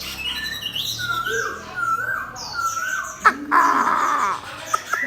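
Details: Caged Chinese hwamei set beside a fighting bird, singing a run of slurred whistles that rise and fall, with short upper twitters, then a sudden loud burst of harsher, denser notes near the end.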